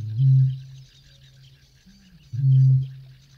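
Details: A Eurasian bittern in a UK field recording gives two deep, foghorn-like booms about two seconds apart, very low and resonant, over a faint background hiss.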